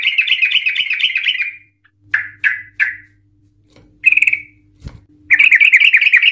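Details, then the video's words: Agitated Yellow-vented Bulbul in long ropel, ngikluk-style song used to set other bulbuls singing: a rolling bubbling trill, three sharp notes, a short burst and a click, then another quick warbling trill. "Trucukan Gacor EMOSI Ropel panjang Ngikluk Ampuh untuk Pancingan Trucukan agar bunyi Ropel"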